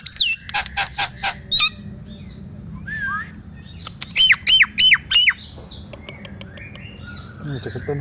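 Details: Nias hill myna song meant to stir quiet mynas to sing: a falling whistle, a burst of harsh broadband squawks, a wavering low whistle, then five loud downslurred notes in quick succession, faint chatter after.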